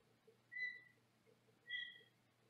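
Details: Senegal parrot kept in a small cage in another room, whistling two clear, steady, mid-pitched notes about a second apart, the second sliding slightly, with a low electrical hum beneath.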